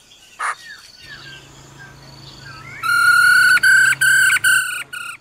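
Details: Black-throated laughingthrush, likely a male singing its wild-type song with a female giving rolling "ro ro" calls: a few soft rising whistles, then loud, clear whistled notes in rapid, evenly spaced bursts over a low steady hum.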